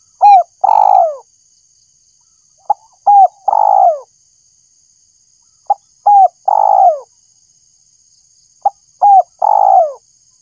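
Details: Tekukur, the spotted dove, calling as a lure for birds: three phrases about three seconds apart, each a brief click-like note, a short hoot and a long downward-sliding coo; thin constant high hum behind.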